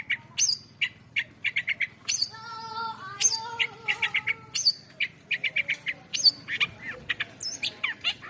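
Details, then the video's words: Long-tailed shrike giving a varied song of rapid high chips, sharp whistles and grating notes, with a brief burst of harsher harmonic chatter in the middle. "CENDET GACOR SUARA BERVARIASI. BIRD SINGING. LONG TAILED SHRIKE BIRD."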